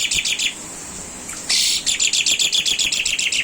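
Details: Jalak suren, the Asian pied starling, singing tembakan master song for training caged birds: quick chattering notes, a pause, a loud harsh burst, then steady rapid repeated chips about four per second.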